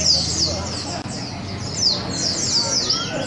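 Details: Oriental white-eyes (pleci) singing at a bird-song contest in Sungai Pinyuh, 29 January 2017: rapid, high, thin chirps and descending sweeps in quick bursts, with faint crowd chatter underneath.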